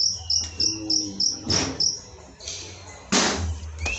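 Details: White-rumped shama in continuous song, recorded as training material for other birds: a run of sharp high notes repeated about three times a second, then noisier bursts, with a faint insect-like buzz.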